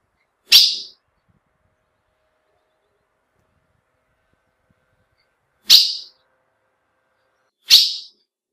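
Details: Female ultramarine grosbeak call that males recognise: one sharp chip, a long silence of about five seconds, then two more chips two seconds apart.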